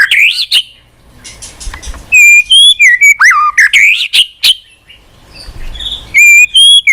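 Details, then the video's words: High, pure whistles and swooping slurs from a White-rumped shama, delivered in bursts of quick repeated notes separated by short pauses. "Pancingan MURAI BATU MALAS BUNYI Sekali putar langsung NYAUT ,GACOR & BONGKAR ISIAN"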